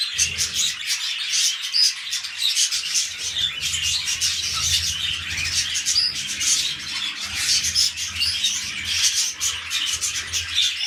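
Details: Busy high-pitched warbling from pet budgerigars during mating, ahead of a new breeding attempt: unbroken squeaky twitter with scattered clear chirps over a faint low hum.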